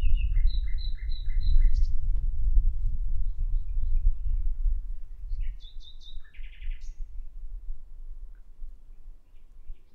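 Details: Common nightingale song in two bursts: a string of repeated whistled notes at the start, a pause with low rumble, then a brief higher whistled phrase with a buzzy ending.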